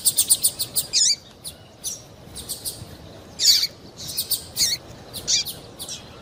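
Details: A female double-collared seedeater calling to make the male sing, opening with a rapid run of tiny high ticks, then scattered sharp chirps with down-slurred tails.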